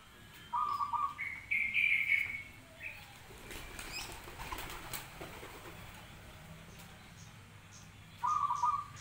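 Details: Zebra dove cooing in short rapid trilled phrases, one near the start and another near the end, with a burst of wing flapping and rustling in between.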